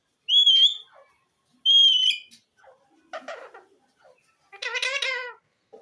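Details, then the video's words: Talking green ringneck parrot kept as a pet. Two bright whistled notes come first, then a rough, speech-like mutter, then a drawn-out nasal, harmonic-rich call about one second long. "mian mitho chori khani ha,lovely green parrot bird talking"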